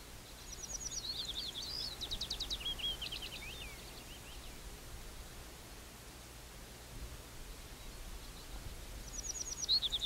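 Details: Little bunting singing twice: a burst of high, thin ticking notes running into a fast, jingling series of sharp chirps lasting about three seconds, then a long quiet gap before the next phrase begins.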